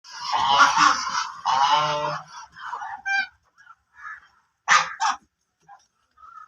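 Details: Black ducks giving loud, harsh, nasal quacking calls in dense overlapping bursts for about two seconds, then shorter scattered quacks and squawks separated by brief silences.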